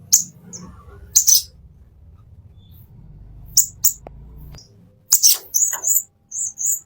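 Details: Plain-throated sunbird in a master recording for training caged birds: scattered sharp high ticks and short chirps, with a quick run of thin high notes near the end over a soft low rumble.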